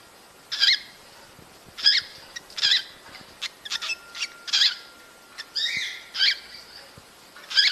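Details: Cockatiels heard as breeding stimulation: loud, grating chirps roughly every second, with softer chatter and a short wavering whistle between them.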